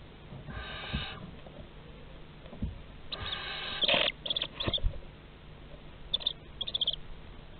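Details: Barn owls at a nest box in Théding, France, recorded 30 August 2020: two breathy hisses followed by clusters of short, high, squeaky twittering notes and light scuffling.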